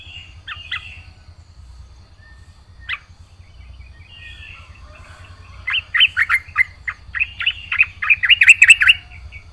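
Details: Singing yellow-vented bulbul in 'gacor full isian' style: scattered soft notes at first, then a loud, rapid burst of bright chattering chirps repeated several times a second for about three seconds.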